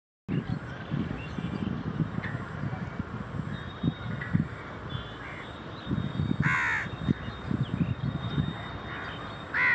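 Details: A large-billed crow at Rajarhat, Kolkata, West Bengal, on 23 September 2019 gives a couple of harsh, hoarse caws late on, over a steady low rumble of wind or handling noise.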